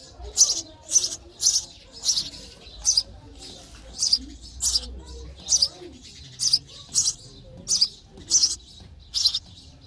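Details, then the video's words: Baby sparrows begging in the nest as they are fed, giving raspy high-pitched chirps in a regular run roughly twice per second, each burst short and noisy. "Baby sparrow chirping sound for food"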